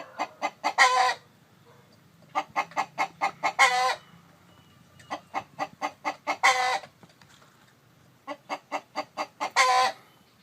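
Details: Chicken, described as a rooster with a hen brooding eggs. Four phrases repeat about every two and a half seconds. Each is a quickening string of four to six clucks ending in a loud, grating, held squawk.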